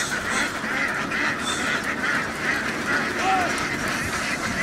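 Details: A big flock of egg-laying ducks in Vietnam crowding from a field onto a boat gives a thick, unbroken mass of harsh quacking, steady in loudness, with one short whistled note partway through.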